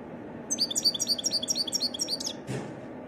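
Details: A wild goldfinch repeats one bright, slurred, high chirp about eight times in quick regular sequence, followed by a single soft dull knock.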